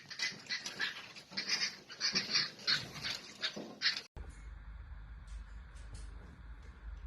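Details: Lovebirds chirping: about four seconds of quick, high, harsh chirps in rapid bursts, then an abrupt cut to quieter background with faint scattered ticks and a low hum.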